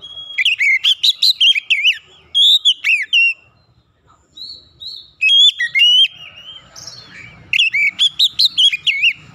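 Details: Oriental magpie-robin lure song meant to get silent birds singing: repeated bursts of quick, sharp whistled notes and trills, each group a second or two long, with brief gaps and soft low hum between.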